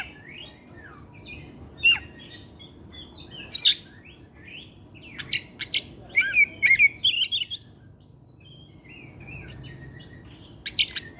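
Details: Oriental magpie-robin singing in the afternoon, a long varied run with mimicked material: scattered sharp chirps and trills, then a dense burst of buzzy, rapid notes near the middle and more clipped notes at the end, over a quiet low hum.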